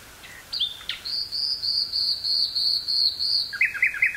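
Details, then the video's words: Common nightingale singing in woods near Burgh-Haamstede, Netherlands, on 18 May 1983, taped on a portable cassette recorder with a stereo microphone: a few sharp notes, then a long, fast, high metallic trill held for over two seconds, ending in quick chirps. "Nightingale singing near Burgh-Haamstede, NL"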